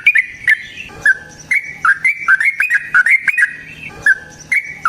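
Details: Yellow-vented bulbul delivering a rapid combative song for provoking rivals to sing: clear chirped notes, often in pairs or triplets, rising and falling, repeated roughly every half second.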